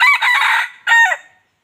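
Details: Wild red junglefowl rooster, 2022: a short, hoarse crow in two bursts, a rough harmonic phrase of about half a second, a brief pause, then a clipped falling end note, on a quiet background.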